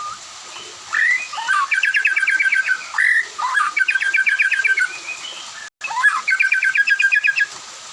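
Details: White-rumped shama singing in the afternoon, other birds answering: three bursts of fast, evenly repeated sharp notes, each opened by rising whistled slurs, with a brief break near the end.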